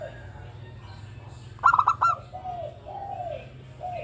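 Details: Local Javanese Zebra dove, a keen singer used to lure other birds: a quick stuttered burst of clipped coos midway, followed by softer drawn-out cooing notes over a low background hum.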